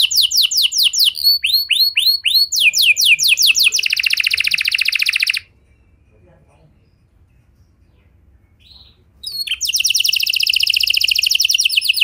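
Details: Canary lure song with a unique melody, meant to get any canary singing along: rapid swept notes and a dense buzzy trill, several seconds of near silence with one faint note, then another fast rolled trill.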